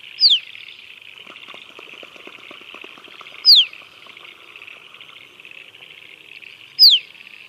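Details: Musk duck whistles, three sharp descending notes spaced about three and a half seconds apart, over a continuous hissing band of noise.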